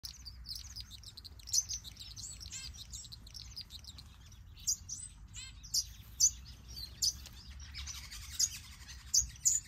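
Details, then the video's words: Male red-throated parrotfinch (red-headed parrotfinch) singing: high, thin chirps and tinny twitters in quick scattered bursts with several louder sharp notes, other small finches seemingly calling at the same time. "Starfinch Male Singing | Red Throated Parrotfinch"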